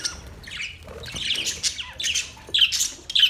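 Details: Captive budgerigars kept in a parrot colony setup, chirping and warbling: a busy run of short, squeaky high chirps and scratchy twitters, rising and falling and overlapping, growing louder toward the end.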